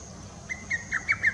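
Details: Lesser cuckoo recorded on 22 June 2017, giving a quick run of about five sharp, slurred whistled notes in a rising-falling staccato pattern, with quiet background.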